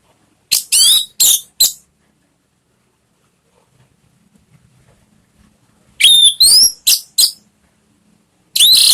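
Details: Song of an orange-headed thrush, played as a lure to get a kept bird singing. Short groups of three or four piercing, slurred high notes are separated by long near-silent pauses.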